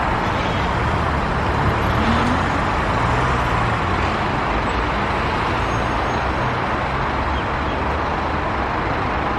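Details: Steady roar of road traffic with passing buses and cars in an urban setting, no animal calls standing out.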